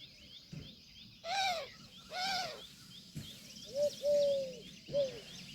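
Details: Indian peafowl peahen giving two short nasal, ringing cries, followed by a few clear, pure whistled notes that arch up and down, over faint background chirping.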